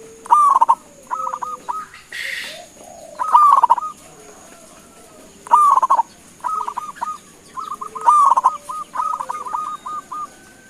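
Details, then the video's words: Local zebra dove giving its answer-provoking call: loud rolling coo phrases every two to three seconds, each followed by strings of short even notes, a brief rustling noise burst early on, steady thin high hum. "Suara Panggilan Perkutut LOKAL Gacor sekali dengar langsung NYAUTIN"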